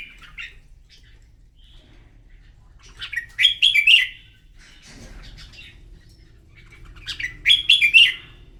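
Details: Red-whiskered bulbul singing in a morning contest, two loud clusters of sharp warbled notes about four seconds apart, with quiet chirps between and a brief low rumble midway.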